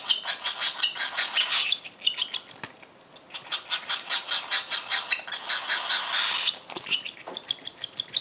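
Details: An 8-week-old cockatiel, just woken and wanting its bottle, gives rapid, raspy begging cries pulsing several times a second while asking for food.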